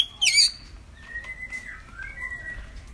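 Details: Lesser green leafbird (cucak ijo mini) song played to lure a bird that has gone quiet into singing: one loud, brief, squeaky twittering phrase, followed by soft, drawn-out, level and wavering whistles.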